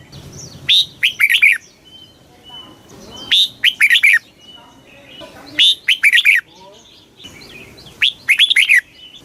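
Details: Red-whiskered bulbul giving a very fast 'kích bổi' song. Four bright, warbled phrases of quick rising and falling notes, roughly every two to three seconds. Faint thin whistles fill the gaps.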